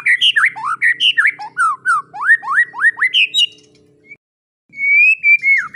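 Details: White-rumped shama, material for teaching young shamas to sing: a lively string of looping, swooping whistled notes, a short silence, then a long level whistle ending in a downward slur.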